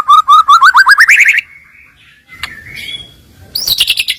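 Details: White-rumped shama filler song used as a lure to provoke rivals: a quick rising series of clear whistled notes climbing in pitch, a drawn-out note, a lone sharp whistle, then a high buzzy trill.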